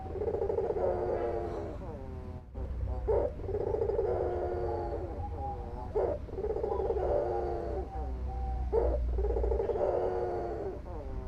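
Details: Albino white Barbary dove, calling actively: long, hollow, drawn-out coos with rich harmonics, each broken by a short accented note and repeated in a steady cycle, over a constant low hum.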